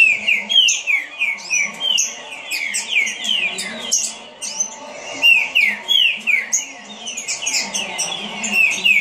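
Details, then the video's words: Green-winged saltator (trinca-ferro) shown singing at speed: a rapid, dense run of loud whistled and slurred notes, many falling sharply, repeated about three times a second with almost no pauses, over a faint low hum. "Trinca Ferro rapido"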